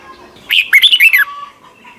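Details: Single phrase of Red-whiskered bulbul song from Thailand, played for young caged birds to learn; a fast run of bright, slurred whistled notes lasting under a second.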